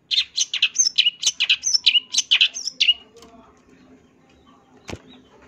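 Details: Long-tailed shrike, a champion bird, singing a fill-in-rich song: a dense three-second run of quick, varied high chirps and whistled slurs, then near silence broken by one sharp click.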